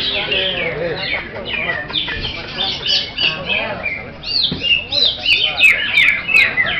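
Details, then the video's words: Greater green leafbird singing a varied, fast run of whistled sweeps, rising and falling slurs and sharp chirps in quick bursts, some phrases swooping upward, with faint talk and background noise. "AKSI CUCAK HIJAU"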